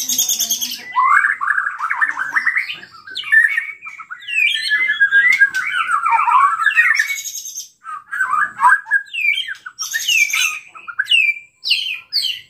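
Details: Excited white-rumped shama singing to provoke rival shamas: long run of varied warbled and whistled phrases, harsh chattering passages, a short pause, then quick high upward flicks.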